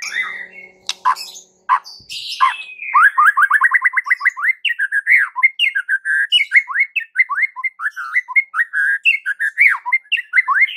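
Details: White-rumped shama song used to stir other shamas into singing: after a few harsh notes, a long rapid string of repeated clear whistled notes, steady and rhythmic, continuing for about eight seconds.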